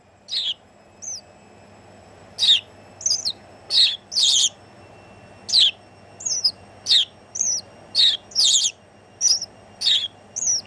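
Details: House sparrow singing from a person's shoulder in the Netherlands on New Year's Day 2016: a long run of about fifteen chirps, sparse at first then rapid and insistent, with varied shrill and rasping notes over faint hum.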